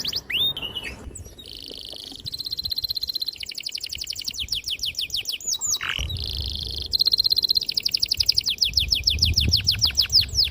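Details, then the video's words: Canary singing vigorously with clear, sharp long rolls, meant to get young canaries singing: high buzzy trills alternate with steady rolls and rapid repeated notes, with faint low rumble. "PANCINGAN KENARI GACOR PANJANG || PANCINGAN KENARI PAUD BELAJAR BUNYI"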